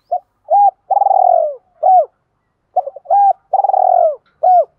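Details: Spotted dove lure call of male and female birds, used by keepers to provoke males. Two identical phrases: short hooted coos, then a long vibrating purr that falls in pitch, then a final coo, with no other sounds.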